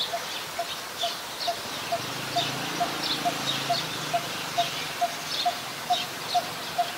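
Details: Coppersmith barbet, a very common resident bird, recorded in Ubon Ratchathani, Thailand, on 2 January 2021. A steady, mellow, hollow 'tuk' repeats a little over twice per second, over a low rumble and faint higher bird sounds.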